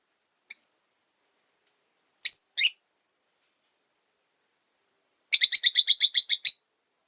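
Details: Rosy-faced lovebirds kept indoors, three birds in one cage where the original bird dislikes a newcomer: a single sharp chirp, then a pair, then a rapid rattling burst of about ten chirps.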